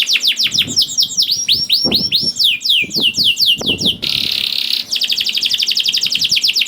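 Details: Canary singing vigorously, played to coax reluctant canaries into song: a run of sharp downward-sweeping notes, then a harsh buzzy burst near the fourth second, then a fast, bright trill of repeated high notes.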